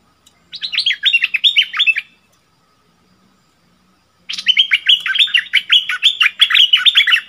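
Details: A caged decoy bulbul sings to answer fierce wild birds, 28 February 2021. It gives rapid downslurred whistled notes in two phrases, one short and one longer, with a silent gap of about two seconds between them.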